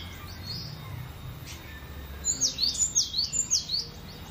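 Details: Cinereous tit, singing at ease: after two quiet seconds of faint hum and a distant chirp, a lively run of high falling whistles follows, roughly six quick repeated phrases.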